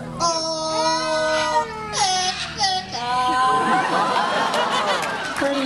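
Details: A parrot at a parrot show at African Lion Safari sings a mimicked "O Canada" in clear, held, voice-like notes with gliding breaks for about three seconds, then crowd noise and applause take over.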